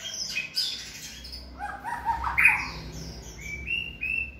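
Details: White-rumped shama in stamina training for 'lửa bó lông' song: scattered high whistles, short slurred notes and a few harsher chirps, with gaps between phrases and faint low hum.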